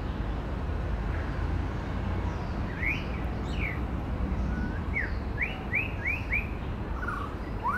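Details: Male white-rumped shama, a species known for mimicking other birds, in woodland. Upswept whistled notes, first scattered and then a quick run of five or six similar rising whistles, over steady low rumbling background noise.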